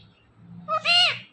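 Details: Talking ringneck parrot kept as a pet utters a brief voiced note, then a longer drawn-out word with stacked harmonics that rises and dips, against faint low indoor hum.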